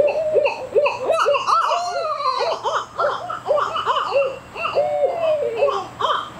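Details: Juvenile Barred Owls learning to call give rapid, cackling runs of short arched hoots, about three to four a second. Several voices overlap, with a few thin, higher wavering notes.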